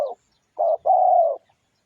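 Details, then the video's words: Lure recording of a spotted dove: a short steady coo, then a longer, even, mellow coo lasting about half a second, in clean quiet surroundings. "tiếng chim cu gáy mồi kích bổi nhanh nổi cực mạnh"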